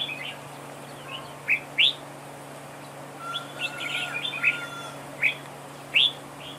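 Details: Red-whiskered bulbul used as a decoy during a trap duel, singing loud rising whistled notes in pairs and a soft warbled passage, over a steady low hum.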